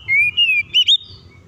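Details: Oriental magpie-robin in full song, used as a lure to provoke other birds to sing and fight: two clear whistled notes, the first long and level, the second slurred upward, over a faint low rumble.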